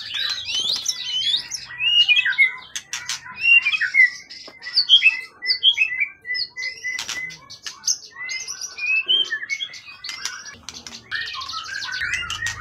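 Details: Long-kept wild songbird for competitions, tail above 20 cm, in full form: a lengthy, loud stream of mixed whistles, chirps and rattling notes, rich and varied, with brief pauses between bursts.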